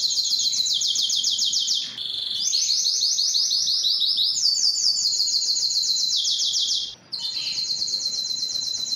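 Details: Canary singing to stimulate females for mating, described as a Belgian canary; fast rolling trills high in pitch, each tour held about two seconds before switching to a new trill, with brief pauses near two and seven seconds.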